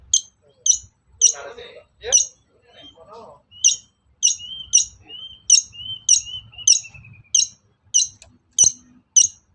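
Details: Long-tailed shrike lure song meant to rouse caged shrikes into answering: short sharp high ticks repeated about twice a second, with a thin drawn-out whistle and a brief lower chattering burst midway, over faint low rumble.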